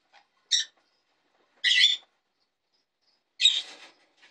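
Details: A jenday conure named Sunny, coming out for the first time at his new home, gives three harsh, screechy squawks about a second apart, the last one longer and raspier.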